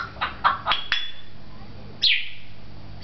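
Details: An African grey parrot, a talking bird at a pet shop in Beit Hanina, Palestine, makes four quick clicking notes ending in a thin high whistle, then a single sharp descending squeak after a pause; faint hum behind.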